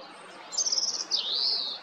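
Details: European robin (Erithacus rubecula) song at Jarun, Zagreb, Croatia, on 13 April 2022: a high, thin rapid warble followed by a drawn-out, wavering whistle, all very high-pitched, over soft background hiss.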